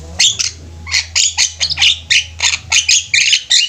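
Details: Javan myna flock in full voice, giving quick harsh squawks and grating chatter in close succession, roughly three per second, loud and continuous; a steady low hum underneath.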